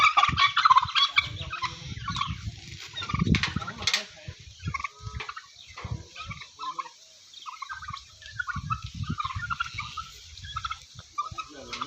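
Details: Very big farm turkeys in Golaghat, Assam, give scattered bursts of gobbling through twelve seconds, mid-pitched rattling notes coming in quick irregular runs, over low rumbling background noise and occasional voices.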